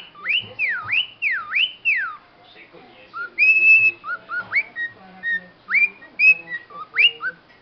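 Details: Cockatiel copying a car alarm: three quick swooping whistles rise and fall, then a looser string of short flat and upslurred whistled notes of varied pitch, with faint low background murmurs.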